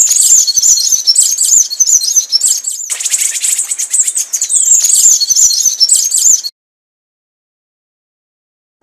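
Scrub Tanagers give a busy stream of thin, high chips and twitters, several birds overlapping at a rapid pace for about six seconds before falling silent.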